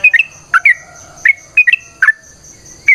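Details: Sooty-headed bulbul in lively, long-rolling fighting-style dawn song, given as a lure to prompt other bulbuls to sing: bright whistled slurred notes in quick pairs and triplets, each burst spaced about half a second apart, with a steady high whine behind.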